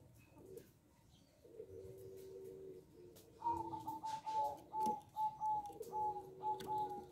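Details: Local zebra dove, singing actively with a small voice, gives soft low coos followed by a run of higher, slightly wavering coo notes, over a faint indoor background hum.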